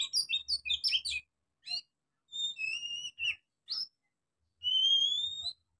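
Oriental magpie-robin: a young bird's practice song, a burst of jumbled chirps followed by long, clear whistles that rise slightly, with short gaps between phrases.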